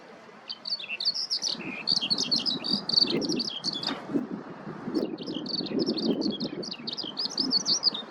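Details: Eurasian skylark singing while searching for food in a ploughed field: rapid, chattering stream of high, twittering and trilled notes, pausing briefly near the middle before resuming, over a soft low rumble.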